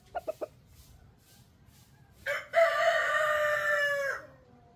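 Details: A male chicken crows a long, sustained, strained crow of about two seconds, rising sharply and then holding steady. Three brief clucks come earlier, with low background rumble.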